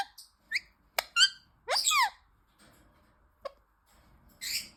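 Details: Indoor pet Indian ringneck parakeet, a talking bird, playing on an iPhone; scattered short chirps and squeaks, a longer harsh wavering call near the middle, then a buzzy screech at the end, with faint room noise between.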